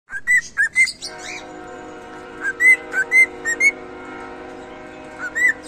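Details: Cockatiel singing: short phrases of clear whistled notes that slide up and down, one near the start and another around the middle, then a last pair near the end, over a steady low hum.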